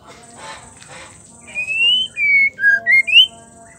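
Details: Female white-rumped shama, its call used to make males sing: soft buzzy notes, then about five long, pure whistles, one rising, others level or falling.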